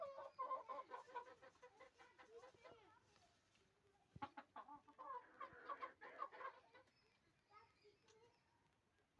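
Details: A village hen clucks in quick, throaty runs of notes, pauses, then starts another burst, with a few sharp knocks and faint voices in the background.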